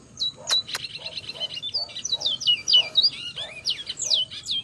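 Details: Bajero at 5 pm, July 2025, near Valledupar, giving a rapid chatter of high slurred whistles and buzzy notes, with two sharp clicks early and a varied, jumbled phrase continuing throughout.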